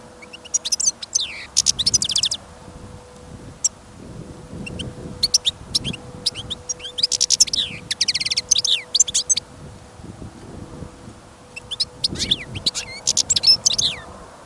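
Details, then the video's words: Caged European goldfinch kept on a listening trial, singing outdoors during a trapping trip amid sudden snowfall and wind. It gives rapid, high twittering phrases of sharp chirps and buzzy trills in bursts throughout, with low wind rumble beneath. "Пение щегла - Голоса птиц. Щегол на прослушивании запел."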